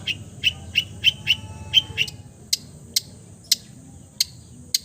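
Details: Long-tailed shrike mimicking other birds: a quick series of about eight high, clear chip notes, followed by sparse sharp clicking ticks spaced roughly half a second apart, with faint low background hum.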